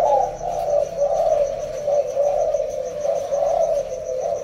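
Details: Captive breeding pair of spotted doves, the male unringed and the female with a white ring on the left leg, 19 January 2024. Low, throaty cooing notes run in close succession over steady faint high-pitched pulsing ticks.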